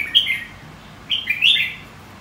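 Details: Red-whiskered bulbul contest song for training a bird to sing competitively; two short, loud warbled phrases of slurred whistled notes, separated by about a second of quiet.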